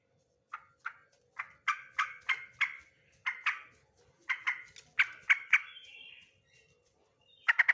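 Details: Male sooty-headed bulbul singing: a run of short, bright, slightly harsh notes in quick irregular bursts, some doubled, with a brief buzzy trailing note near the end and a sharp loud note at the close.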